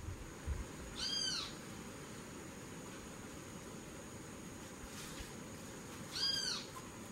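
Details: Parakeets eating papayas give two short, harsh, arching calls about five seconds apart, over a steady low rumble and faint background hiss.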